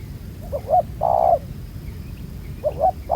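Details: Spotted dove, a newly caught wild bird with a black-spotted neck collar, trapped with a ground decoy; a few low mellow coos, then a longer steady coo, with quiet gaps and faint background hiss.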